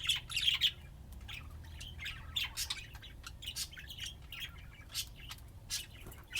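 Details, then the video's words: Budgies at play in Austin, Texas: a loud burst of grating chatter at the start, then scattered chirps, clicks and warbles of varying loudness. "طيور الحب لعب وزقزقة"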